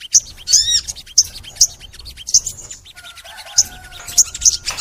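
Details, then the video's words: Crimson sunbird singing long and lively, recorded to coax kept sunbirds into singing; bright high chips repeat about every half second, joined midway by a thin steady whistled tone. "MASTERAN SOGON FULL NEMBAK! Suara Sogon Gacor Panjang | Pancingan untuk Sogon Biar Rajin Bunyi"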